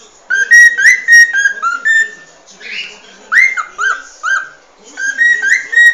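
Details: Cockatiel giving its original species song, a run of bright whistles that rise and level off, grouped in short bursts with brief gaps between phrases.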